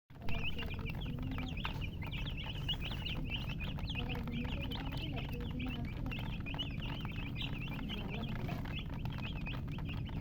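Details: A group of baby chicks chirping: dense, high, thin peeps overlap and repeat rapidly throughout. A steady low hum and rumble run underneath.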